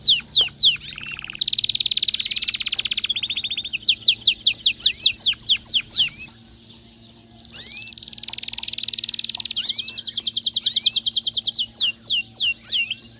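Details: Excited canary singing: rapid high trills and sweeping whistled notes alternating with long buzzy rolls, a brief pause mid-phrase, then more fast repeated trills, over a low steady hum.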